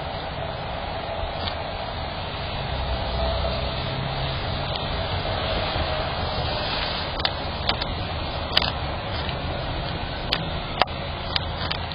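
Steady vehicle rumble fills the whole stretch, broken only by a few sharp clicks near the end; no animal calls stand out.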